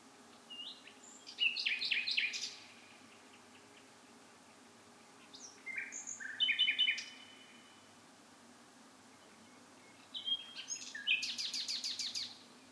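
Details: A bird sings at night in three separate bursts of varied chirps, buzzes and short whistles, spaced by quiet pauses; the last phrase ends in a fast, rattling series of sharp clicks.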